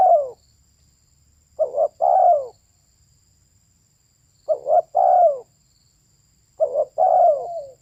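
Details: Female spotted dove repeating its coo three times, roughly every two and a half seconds. Each phrase is a brief doubled note and then a falling drawn-out coo. A faint high steady hiss runs through the quiet background.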